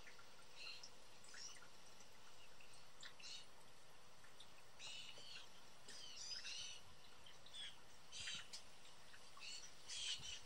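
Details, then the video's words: Young blue jays, four hungry, energetic birds at a backyard feeder in Southern Ontario, Canada. Harsh, noisy screeching bursts come at irregular intervals, some doubled, over a steady background hiss. "A Bunch Of Blue Jay Young Birds Calling"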